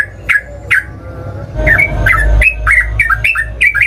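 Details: Sooty-headed bulbul in emotional fighting song to provoke rivals into responding: spaced whistled notes speeding into a run of quick falling two-part phrases, over a noticeable low rumble.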